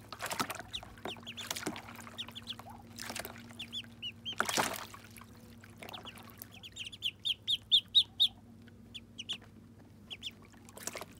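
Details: Muscovy ducklings bathing for the first time: scattered high peeps amid heavy splashes, then a rapid string of bright, evenly spaced downslurred peeps, all over a constant low electrical-like hum.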